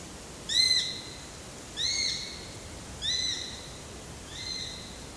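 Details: ['Eurasian sparrowhawk: four high, down-curving whistled calls at even intervals, fading slightly in loudness toward the end.']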